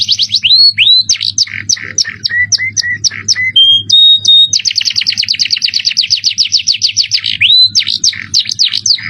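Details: Canary song with an elaborate, luxurious style: high sweeping notes, short chip series, level whistles, then a long rapid trill and more rising slurs, with a faint low hum beneath.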